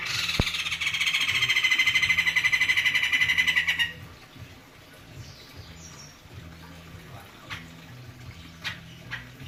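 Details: White-crested laughingthrush in a cage, prized for its thick voice, delivering a loud pulsing laugh-like chatter for about four seconds that stops abruptly, followed by soft clicks and faint background noise.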